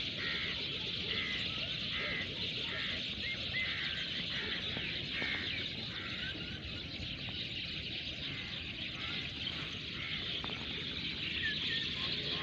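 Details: Birds chirping in a natural setting: short, repeated high chirps about three per second, mixed with a dense, bright chatter, all laid over a steady loud broadband hiss throughout.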